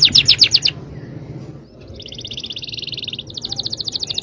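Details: Song of a yellow canary: a loud rapid rattle, a brief pause, then long rolling trills of high repeated notes, evenly paced and rising in volume.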